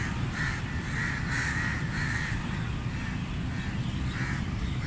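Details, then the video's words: Crow giving harsh, hoarse caws in short bursts, several close together early on and one more near the end, over a steady low rumble of wind or distant traffic. "Crow Sounds Loud | Crow Caw Sound Effect | Crow Sound Effect"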